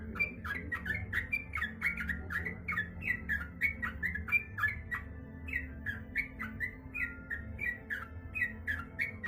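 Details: Yellow-vented bulbul, locally called trucukan, singing nonstop in the 'jog-jog' style: bright whistled notes and short slurred phrases repeated rapidly, about three per second, over a steady low hum.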